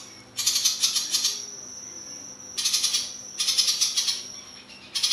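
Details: A Papuan ciblek, a prinia-type songbird, gives long sustained song bursts of high, rapid, buzzy trilling about a second long, repeating roughly every one to two seconds, over a thin steady high whine.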